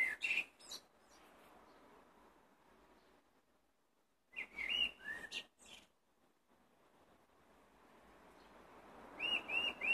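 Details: Singing blackbird delivering separate phrases a few seconds apart, each a mellow whistled warble ending in thin, squeaky high twitters, with soft background hiss between phrases.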